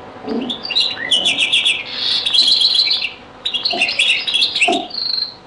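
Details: Very old recording of European goldfinch song in the Beni Messous 'les avocats' (zaboka) style, with nearly continuous bright twittering, liquid trills and ringing chips, and a soft background hiss.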